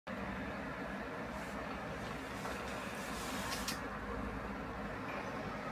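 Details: Steady broadband rumble like passing traffic, with a few brief hissing bursts near the middle and no animal calls.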